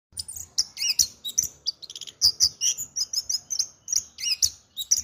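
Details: Caged orange-headed thrush, a competition-winning bird kept in a shabby cage, singing rapid varied phrases of high whistles and sharp chirps, densely packed notes with brief gaps, some lower notes mixed in.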